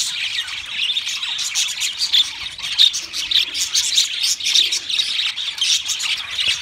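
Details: Several pet budgerigars singing, with rapid twittering and chirps over a continuous high warbling chatter, some clearer whistled notes standing out.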